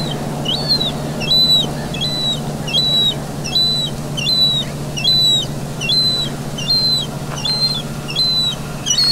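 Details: Young gull begging during feeding in the city of Vannes, Brittany, on 17 August 2022: a steady series of high, thin, slightly drooping whistles, about one every 0.7 seconds, against a low continuous urban rumble.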